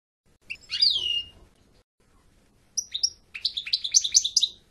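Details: European goldfinch giving a brief downslurred twittering phrase, a pause, then a run of quick chirping notes repeated rapidly.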